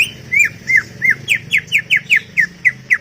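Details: Greater green leafbird giving a chattering song: a steady run of short bright slurred notes, about four per second, each dipping or rising near the middle of its range, with faint low hum beneath.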